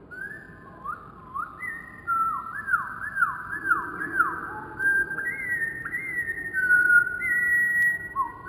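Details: Slowed-down wren singing: a run of looping, swooping whistles that rise and fall in quick succession, then longer level whistled notes stepping up and down, with steady low background rumble.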